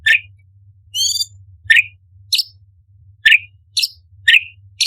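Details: Cucak cungkok, the orange-bellied leafbird, giving sharp 'tembakan' notes: crisp chirps that alternate with higher, squeakier ones and one short buzzy burst, repeated at irregular intervals. A low background hum is present.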